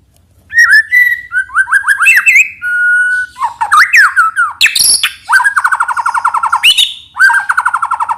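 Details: White-rumped shama song used as a lure, a loud varied run of whistled slurred phrases, buzzy trills and rapid repeated notes, including long stuttering trains of short notes near the end.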